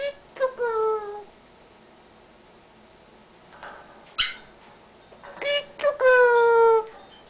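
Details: Talkative Amazon parrot kept as a pet, vocalising at home as its owner types on a computer: a short falling word-like call, a pause, then a sharp click and a longer drawn-out descending phrase.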